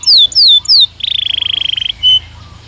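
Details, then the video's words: Belgian canary singing: three loud clear descending whistles, then a rapid buzzy trill of about a second and one final short high note. "Som de 1 Hora com Canario Belga Cantando Naturalmente"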